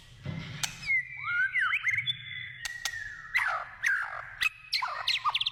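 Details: Melodious wild white-rumped shama song in forest, rich curving whistles sliding down and up, followed by short bright twittering phrases and fast descending trills, with occasional sharp clicks.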